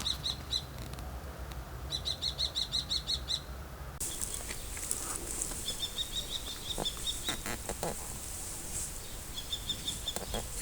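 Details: Repeated bursts of shrill, rapid kee-kee-kee notes from a common kestrel, two clear runs at the start, then a longer, softer run amid rising broadband noise and faint clicks.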